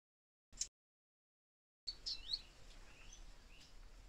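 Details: Last orange-tufted sunbird nestling in a nest in Israel, two siblings already fledged, being fed by the male, gives a few thin, high chirps in quick succession after a single sharp tick and a pause, over faint outdoor background noise.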